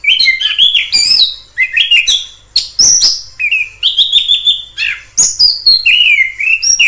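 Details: Orange-headed thrush song recorded in the wild: a lively, continuous medley of rising and falling whistles mixed with sharp chips, phrases linked with only brief pauses.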